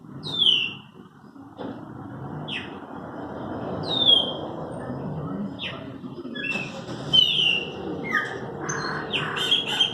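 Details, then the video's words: Several Chopi blackbirds singing: clear whistled notes that slur downward, each given about every one to two seconds, with denser overlapping whistles toward the end over a steady low rumble of background noise. "Cantos, meus pássaros preto"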